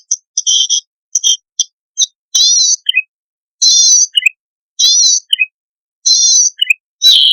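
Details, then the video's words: Zitting cisticola singing in energetic 'gacor' style, a recording used to draw out song from freshly caught wild birds; stuttered high notes, then buzzy wavering phrases of about half a second, each followed by a quick two-note chip, repeated. "Cici Padi Gacorrrrrr Dorrr Ampuh Untuk Pancingan Bunyi Burung Liar Baru Ditangkap"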